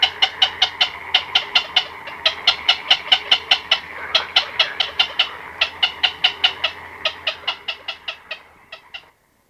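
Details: Black-crowned night herons, chicks and adults, calling at close range in a colony at night: a fast run of harsh, clicking notes, roughly two to three each second, over a faint low hum.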